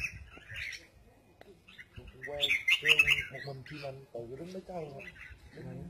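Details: Red-whiskered bulbul, a kept songbird, singing in the double-voiced style: a brief burst of bright, high, chattering notes in the middle, set among steady human talking that continues throughout.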